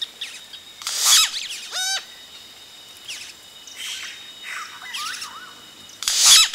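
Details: Close-up begging of yellow-rumped cacique chicks as adults reach the nest; harsh high bursts, a stacked descending call near the start, scattered thin chirps and a loud final burst.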